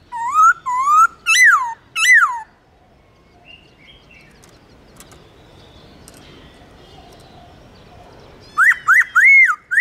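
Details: Caged laughingthrush song for firing up a pet bird's singing drive: loud clear whistled phrases with rising-falling slurs, four bursts in quick succession, a quiet pause with faint background, then three more sharp looping whistles.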